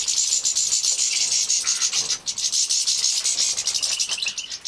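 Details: Captive-bred young European goldfinches being fed in Poland in 2017 give a near-continuous, very high, fizzing chatter, with a short dip just after the halfway point.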